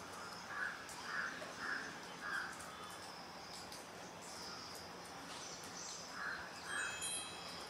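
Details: Juvenile grey hornbill calling: four soft, mid-pitched squealing notes about half a second apart, a pause of several seconds, then two more, while other birds whistle and chirp high in the background.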